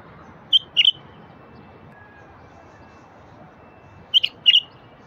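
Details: Wild bulbul singing, played to prompt silent bulbuls into song: two short bursts of bright, clear, slightly warbled notes, each a quick pair, separated by a few seconds of quiet with faint background hiss.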